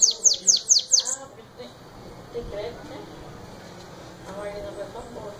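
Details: Sibite, or bananaquit, performing the 'belga' song: five quick high notes sliding downward open the clip. After that, low background talk and ambient noise take over.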